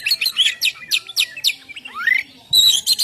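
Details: Oriental magpie-robin (kacer) ngeplong song for luring and stimulating birds to sing: a rapid series of about eight sharp repeated chirps, then a long rising whistled sweep, then high trilled notes.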